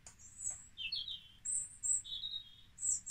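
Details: European robin, a species singing for most of the year and strongly territorial, giving its sweet, melodic song: high, thin, warbled whistles alternating between sliding and steady notes in short phrases, over faint low background hum.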